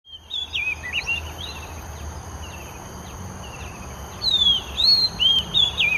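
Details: Oriental magpie-robin singing in Singapore, an individual with its own tune: clear whistled phrases, rising and falling warbles and slurred notes around the start and again in the last two seconds, over steady insect hiss.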